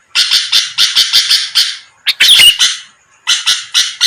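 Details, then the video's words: Sooty-headed bulbul calling to challenge rivals: a quick run of raspy bursts, a brief pause, then a tangled burst with a thin wavering whistle, another pause, and a few more harsh notes. "pancingan Suara burung kutilang gacor⁉️lawan langsung merespon cepat"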